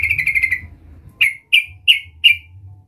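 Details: Sooty-headed bulbul (trucukan), a vigorous caller, calling to lure a rival: a quick burst of six chirps, then four loud, separate, sharp chirps spaced about a third of a second apart, over a low hum.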